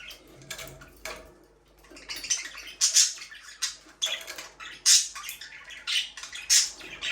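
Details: Pet budgerigars give scattered harsh chirps and squeaks, at first quiet and then louder in the second half, with scratchy bursts about once a second.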